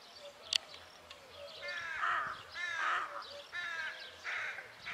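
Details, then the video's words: Rooks giving a run of rasping, hoarse caws with a nasal, ribbed quality, four main calls in quick succession after a brief sharp click at the start. "Rook (Corvus frugilegus)-Sounds and calls"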